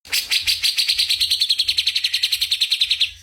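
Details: Magpie-robin in a masteran recording delivers one fast, steady trill of bright, high, clipped notes for about three seconds, with a faint low hum underneath.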